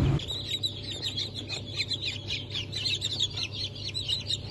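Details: Day-old Brahma and Wyandotte chicks from a 4 August 2024 hatch give a crowded stream of thin, high peeps. Their loudness rises and falls, with a faint low hum behind them.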